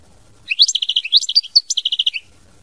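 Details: European goldfinch singing a mama binette style phrase: a lively run of rapid, high, liquid twitters and repeated chattering notes lasting nearly two seconds.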